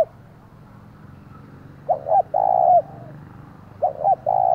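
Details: Spotted dove used as a decoy, giving its loud provoking call: after a short pause, two phrases each of a quick double note and a long sustained low coo, around two seconds apart.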